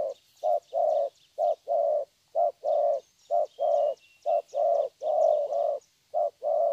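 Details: Spotted dove, a young bird caught from the wild, delivering 'thổ' song: a steady run of deep coos in short-long pairs, about one note per second, over soft twittering from other birds.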